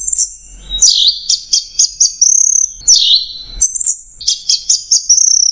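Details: Orange-headed thrush in continuous 'macet jernih' tutor song: very high sweeping phrases, each a downward swoop followed by a string of quick, even, ticking notes, repeated twice with barely a break.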